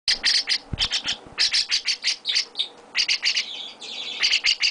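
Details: Young chestnut-cheeked starling kept by its owner, giving rapid bursts of harsh, buzzy chirps, tight groups of three to five notes repeated about every half second, with brief quieter gaps and a faint tap.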